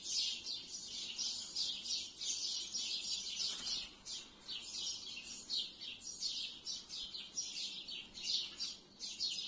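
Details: Sparrows in trees at twilight, a dense flock chorus of bright, overlapping chirps and tweets pouring out in continuous pulsing bursts, with steady chatter throughout and no other clear sounds.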